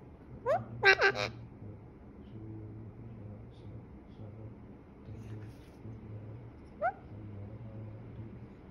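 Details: Angry-mood Alexandrine parakeet from Pakistan: a rising squawk, then a harsh, broadband burst of three rapid screeches, a long pause, and a final short rising squawk, with low background hum throughout.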